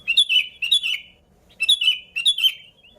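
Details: A sooty-headed bulbul on a lure track, unmixed with other species: two pairs of clear, descending slurred whistles, each pair separated by a half-second pause.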